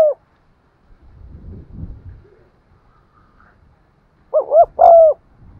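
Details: Spotted dove cooing, played to provoke wild doves into coming in; low rustling and thumping noise first, then one crisp phrase of two brief notes followed by a longer hollow coo near the end.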